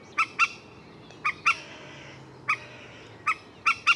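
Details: Common moorhen uttering crisp, sharp double notes, pairs separated by pauses of about a second, over a soft steady background.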